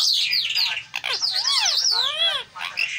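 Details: Tame green parrot talking nonstop, a run of squawky, harmonic vocal sweeps that arch up and down between mid and high pitch, with brief pauses between phrases.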